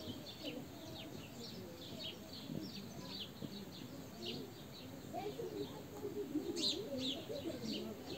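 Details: Several sparrows among olive trees, captured with a Xiaomi Note 8 Pro phone, giving quick high chirps in loose succession, with one louder sharp chirp near the end, over low cooing and a faint rumbling background.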